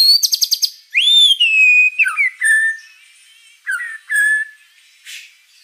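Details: White-rumped shama song opening with a quick rattle, then long clear whistled notes that rise and fall, separated by short pauses and ending with scattered softer notes.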